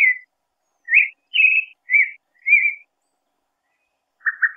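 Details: A shy pale-breasted thrush (Turdus leucomelas), hidden from view in caatinga scrub near Garanhuns, Pernambuco, Brazil, keeps singing short, varied whistled phrases, some warbled or trilled, about one every half second to second, with brief pauses.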